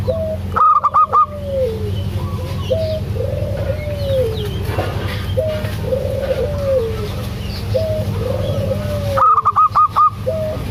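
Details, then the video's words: Local zebra dove (perkutut), a female calling the male, with a loud voice: bursts of rapid, staccato, clipped cooing notes near the start and end, over softer drawn-out coos from other doves and a constant low hum. "Perkutut lokal suara besar"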